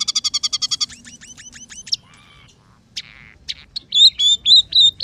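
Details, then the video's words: Singing scaly-breasted munia, known locally as emprit peking, in a song laced with sparrow, red siskin and canary phrases: a quick pulsing trill, downslurred chirps, a soft rattle and a burst of strong, steady whistled notes. "masteran burung emprit peking gacor 008"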